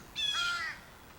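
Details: In a backyard in July, an excited fledgling American crow gives a single harsh, nasal caw lasting about half a second, slightly rising then dropping, against a quiet background, with a male crow perched nearby.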